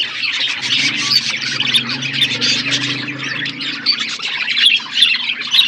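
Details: Budgerigars in a forest aviary give continuous high twittering and warbled chirps, with a low steady hum underneath for most of the recording.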